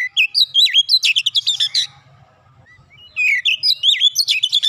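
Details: Oriental magpie-robin in fast rapid-fire song: high whistled notes with swooping slurs and sharp chips packed closely, a pause with a faint low hum, then the rapid whistled phrases resume.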